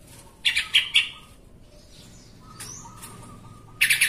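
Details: Yellow-vented bulbul in a recording intended to make other bulbuls sing: three rasping chatter notes, a quiet stretch with a faint whistle and chirps, then a fresh harsh burst at the end.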